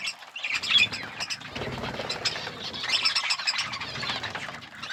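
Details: Outdoor forest aviary where budgerigars eat seeds: a steady, softer wash of overlapping high chirps, twitters and warbles from many birds, with faint rustling beneath.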